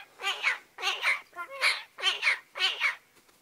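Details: Pet magpie talking nonstop when happy and comfortable, recorded on a spring day with snow still around; a run of six voice-like, speech-mimicking bursts, each a harsh syllable pair, in steady rhythm about twice a second.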